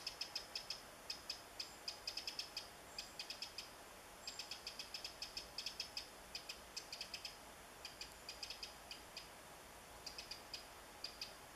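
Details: Eurasian wren in woodland on 27 July 2014, calling while foraging for insects, gives dry, high ticking calls in quick bursts of three to six, repeated steadily over a quiet background.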